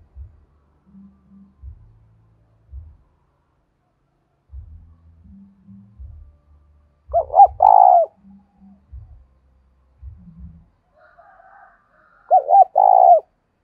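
A spotted dove gives soft, hoarse cooing phrases in short bursts, played to provoke other doves to answer.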